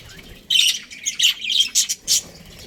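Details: Australian budgerigar breeding pair, caged, giving bursts of scratchy, high chattering chirps and squawks in short clusters separated by brief pauses.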